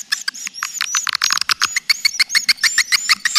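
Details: Lure call for swiftlets: quick, uneven run of scratchy clicking chirps, roughly three per second, overlaid by a thin high whistled twitter that drifts through the sequence.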